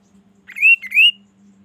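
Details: Quail (kaso kaso) lure call meant to make other quails answer within minutes: two loud, rising whistled notes, the second longer and sweeping upward, over a faint low hum.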